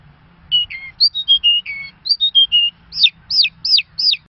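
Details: Clear whistled notes from an Irani Mashadi Jal lark step downward in a short phrase sung twice, then four sharp, down-slurred whistles at an even pace, with a faint low hum.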